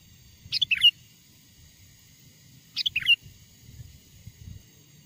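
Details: Vigorous Sooty-headed bulbul song used to call wild birds closer: two brief cheerful phrases about two seconds apart, each a quick sharp note followed by two fluty whistled notes, with a quiet low rumble behind.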